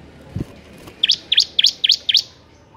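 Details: Five bright, high chirps from a bar-winged prinia, evenly spaced about every quarter second, each a short sharp up-and-down note, sung in the vigorous ngebern gacor manner; a faint low thump beforehand.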